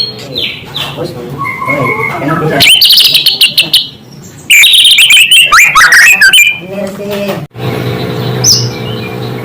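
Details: Song of a white-rumped shama meant to agitate rival shamas: loud, rapid bursts of varied chirps, whistles and rattling notes in two dense runs, with quieter twittering before and a low background hum.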